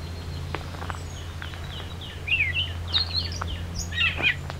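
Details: A Gray Catbird, hiding in shrubs, sings a jumbled run of short squeaky, chattering phrases, quick and varied in pitch, over a low rumble, on the summer solstice 2024 at Beverly Swamp, Flamborough, Ontario, Canada.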